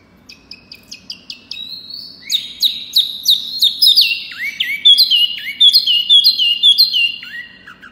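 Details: Loud, persistent Pygmy cupwing song: soft ticking notes build into a rising whistle, then repeated looping phrases with sharp upward flicks and dropping tails, getting louder toward the end.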